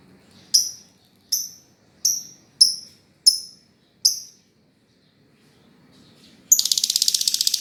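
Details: Lovebird calling: six sharp, high chirps spaced about two-thirds of a second apart, a short silence, then a harsh, rapid, buzzing chatter.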